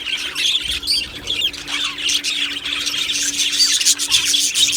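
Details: Budgies in an aviary colony, 1 July 2025, squawk and chirp together: harsh scratchy squawks mixed with quick high twitters, many birds calling over a steady low hum.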